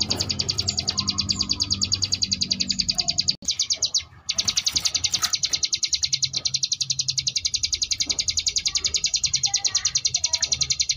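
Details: Sunda bush warbler delivering ngebrem variation song for contest-bird tutoring: a long fast series of high buzzy pulses, interrupted around the middle by a brief gap and a harsh burst, then continuing evenly.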